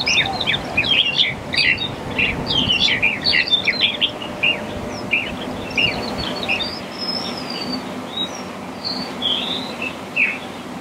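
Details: Black-collared starling giving a busy run of harsh chirps and squeaky notes, then a few clear whistles, over a steady low traffic rumble.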